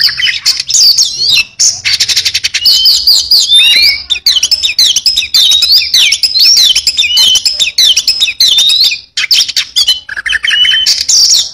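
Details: Lively Oriental magpie-robin song packed with fill-in material, a nearly continuous stream of fast rattling trills, looping whistles and chattering notes, high-pitched and varied, with only brief gaps.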